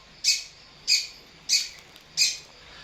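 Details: Long-tailed shrike provoked into calling: four harsh, buzzy bursts, evenly spaced about two-thirds of a second apart, with a quiet background between them.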